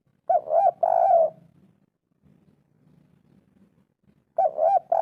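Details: Spotted dove using the 'kuk 3' pattern to prompt quiet birds: a phrase of two arched coos and a long rough note, a gap with faint low rumbling, then the phrase begins again.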